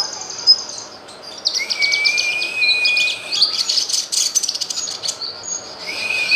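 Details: Cucak kinoy tutor song: high chattering chirps and rapid buzzy trills, crossed by a long level whistle in the middle and a short rising whistle at the end.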